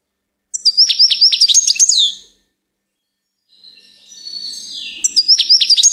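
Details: Goldfinch song with a rapid, high twittering phrase of jingling notes, a pause, then a softer gliding, wheezy note that leads into another burst of fast tinkling twitters.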